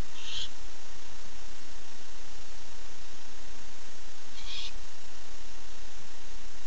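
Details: Male barn owl at night, 8 September 2015, calling for his mate: just two brief, harsh hissing screeches, about four seconds apart, separated by quiet background hum.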